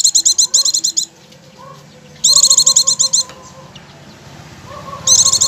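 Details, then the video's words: Oriental white-eye lure song, played to prompt kept birds to start singing continuously: bursts of rapid, high, sharp chipping notes, about ten per burst, repeating every two to three seconds, with faint lower whistled tones between bursts. "pancingan pleci agar langsung ngecir"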